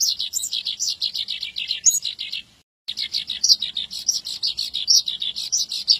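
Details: Fast chirping song of a Javan bush lark, an unbroken stream of high notes that briefly cuts out near the middle before resuming just as busily, with a few shrill accents.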